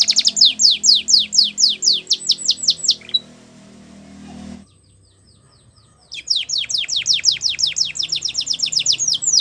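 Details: Canary song for young canaries in training: rapid repeated descending sweeps, a quieter stretch with faint low hum and near silence, then the fast sweeping series resumes.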